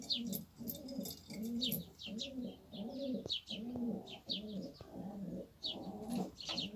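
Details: Fancy pigeons kept in a fenced coop in Cyprus coo steadily: low, rounded, arching notes repeat roughly every half second in a rolling series, with bright high chirping from small birds in the background.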